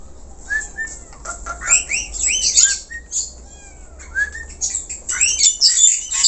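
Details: Black-collared starling singing vigorously in a natural-sounding recording: harsh, scratchy bursts mixed with short clear whistles and upslurred notes, irregular and lively, with loud high squawks clustering near the end.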